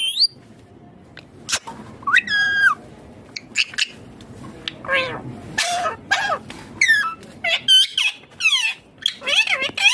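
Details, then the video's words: Green ringneck parrot kept as a pet, chattering in a steady stream of short squeaks, bent whistles and harsher bursts that follow one another rapidly, with faint room hiss between notes. "My Ringneck Green Parrot Talking Natural Sounds"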